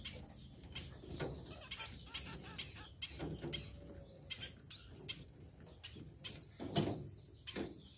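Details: Tame sparrow chirping rapidly in quick runs of high, short notes, later slowing to spaced bright descending chirps, with some fluttering and low background noise.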